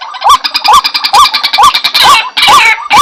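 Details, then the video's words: Short burst of White-breasted waterhen lure sound: six or seven upward-hooked honking notes in three seconds, with harsher overlapping calls and clicks filling the gaps. "Suara Pikat Ruak Ruak , pemanggil ruak ruak"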